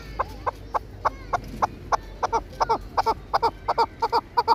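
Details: Chukar partridge, kept for hunting and fighting, giving a steady string of short clucking chuck notes, nearly three a second, growing into doubled notes toward the end, against a low background hum.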